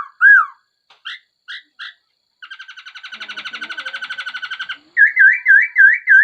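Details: Laughingthrush mixing a loud arched whistle and a few short notes with a long buzzy rattle, then a run of bright repeated slurred whistles.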